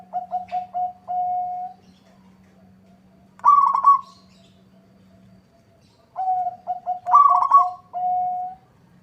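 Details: Zebra dove of a local strain singing against a rival: a string of short low coos ending in a held note, a loud rolling trill, then coos and trill again, with a low steady hum.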